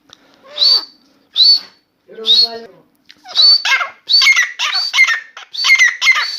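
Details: Indoor captive grey francolin, newly started calling and keeping it up: loud shrill screechy notes, spaced at first, then running together into rapid, rhythmic, ringing repeated phrases.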